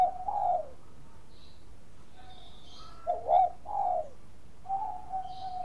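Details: Zebra dove of the Bangkok type singing as a lure to set other doves singing: soft mellow coos spaced irregularly, a few short bubbling notes and a held tone, over a steady low background rumble and faint chirps.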